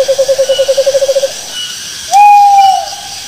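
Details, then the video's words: Owl making a medium-pitched, bouncing trill of quick pulses, then, after a pause, a higher, long, clear whistled note that slides slightly before fading. "Suara Burung Hantu Yang Bikin Jantung Dekdekan"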